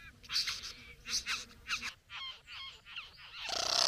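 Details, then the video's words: Satin bowerbird courting a female at the bower: a series of harsh, buzzy rasping notes with a grating, ridged texture, several grouped in quick pairs, ending in a loud hissing burst of noise. "Bowerbird. ( Courting female at the bower)."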